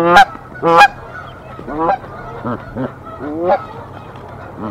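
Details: Canada geese defending a nest from an intruder goose in Decorah on 1 April 2024. Two loud honks open, then softer, lower honks follow at uneven gaps.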